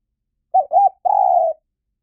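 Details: Spotted dove, recorded for luring wild birds: two quick husky coo notes followed by a longer, steady, slightly falling coo lasting about half a second, all clean against silence.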